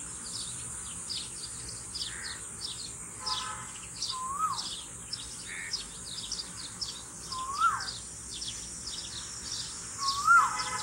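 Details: Cuckoo, described as melodious, gives a clear rising whistled note about every three seconds, three notes in all. Dense high chirping from other birds or insects and a steady background hum continue throughout.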